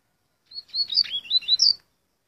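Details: Curió and Coleiro hybrid singing a quick phrase of about a second, a string of short, high whistled slurs that rise and fall, ending on a brighter, higher note; quiet background.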